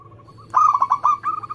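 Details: Local zebra dove in full song, a recording meant to lure doves and prompt them to sing: faint soft coos, then a loud rolling trill of quick, slightly wavering notes that eases off at the end.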